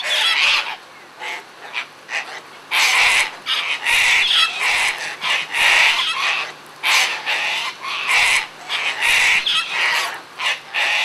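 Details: Sulphur-crested cockatoos out feeding, several parrots in a frenzy, producing a continuous chorus of loud, rasping screeches, long harsh squawks roughly every second with shorter scratchy notes between.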